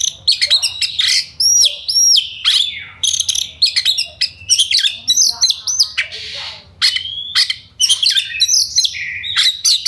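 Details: Oriental magpie-robin in energetic, fast and dense 'ngobra' style song, a lure meant to rouse other magpie-robins into fighting mood and full repertoire; high whistles, sharp upswept notes and buzzy chatter pour out in quick bursts with brief gaps.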